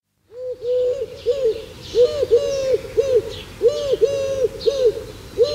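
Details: A Eurasian collared dove, found across Europe, gives soft, hollow, low cooing notes in quick arched phrases, with high chirps from other small birds behind.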